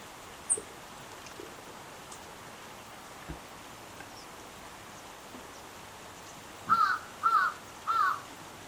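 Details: Wild little egret, a deep, thick-voiced heron, giving three hoarse, grating croaks in quick succession near the end, after quiet outdoor background with faint scattered clicks.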